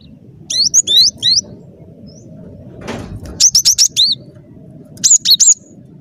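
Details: Bright, high, repeated notes of an actively singing cinereous tit, used to lure birds for trapping, in three phrases of quick down-slurred whistles, with a short rustling thump in between.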